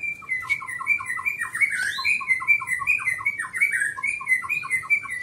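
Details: Greater green leafbird master song for tutoring pet birds, a dense rapid stream of repeated short whistled notes layered over higher slurred phrases, continuous and varied, with fast chattering rhythm throughout.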